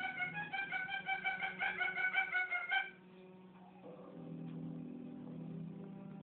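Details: A pet bare-eyed cockatoo calls indoors because it dislikes being in the other room: a rapid run of nasal, ringing squawks, about three a second for three seconds, then quiet over a low indoor hum.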